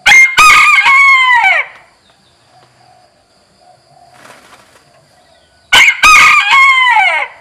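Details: Ornamental rooster crowing, from breeds including Onagadori, Brahma, Poland, Kapas and Batik. Two loud, drawn-out crows about five seconds apart, each starting with sharp notes and ending in a long falling cry. Quiet background between them.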